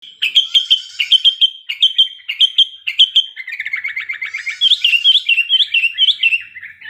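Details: Sooty-headed bulbul (kutilang) in breeding condition, used to prompt singing: bright, high, chirpy whistled notes in quick repeated phrases, with a rapid trilled stretch in the middle, then lively rising-falling whistles.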